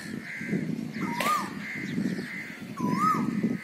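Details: Asian koel giving two short whistled notes that rise and then dip, about two seconds apart, over a steady low rumble and a faint continuous tone.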